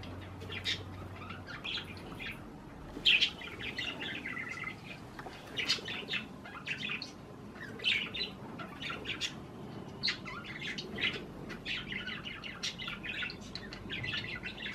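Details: Budgerigars, parakeets eating cherry tomatoes, keep up busy, scratchy chatter of short chirps and squawks, dense and continuous, with occasional wing flutters.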